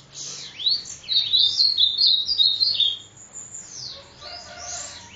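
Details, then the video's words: High, thin song of a sibite from Parnamirim, Rio Grande do Norte, with looping swept whistles and a dense twittering run near the middle, then more sweeping notes. "Sibite endemoniado"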